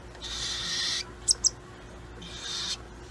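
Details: Baby cockatiel in a pet store, hand-fed until its crop is full, giving two harsh, hissing rasps about a second long with a pair of sharp clicks between them.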